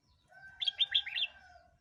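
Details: Red-whiskered bulbul song meant for playback to provoke wild birds or teach young birds: one quick phrase of about five bright whistled notes, bouncing up and down, over a faint steady hum.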